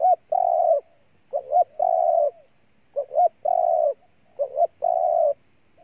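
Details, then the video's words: A spotted dove from Ninh Thuận, Vietnam, coos steadily. Each phrase pairs a brisk rising double note with a long level coo, about every one and a half seconds, over a persistent high hum. "Cu Gáy Ninh Thuận"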